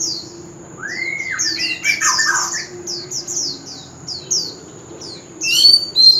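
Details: A male White-rumped shama sings continuously in contest, with its forest voice. An arched whistled slur and a brief warbled cluster stand among a steady series of soft, falling high chips, ending in a sharper burst.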